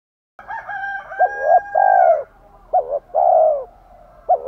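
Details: Spotted dove phrases for provoking wild-caught males to coo. A steady thin whistled tone runs above low clipped notes and a long drawn coo, followed by further short hollow notes.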